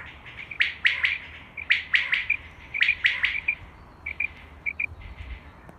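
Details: Common quail calling for use in hunting: bright three-note phrases, sharp and clipped, repeated about once a second in three bursts, then softer scattered notes and a faint low hum underneath.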